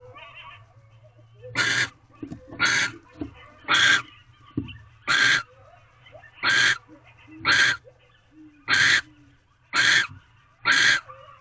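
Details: Barn owls at a nest box on a February night, 11:24 pm, during mating; the female still holds a rodent the male brought hours earlier. Harsh, hissing screeches repeat about once a second, nine in a row, with faint background hum.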